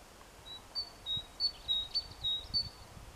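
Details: A tit on 14 April 2021, calling to its mate, sings thin, high, clear notes, repeated in a quick alternating pattern.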